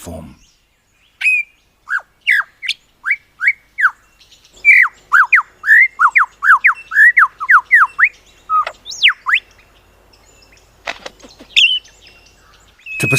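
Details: Male lyrebird singing from his cleared display platform in the forest to attract females, mimicking other birds: a rapid, varied medley of loud whistles and sharp downslurred notes, about two per second, with a rising sweep and brief trill.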